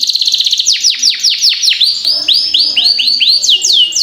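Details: Canary singing long rolling song meant to teach young birds and prompt other birds to sing; series of descending whistled sweeps repeated about every quarter second, followed by rising looped notes, high and clear.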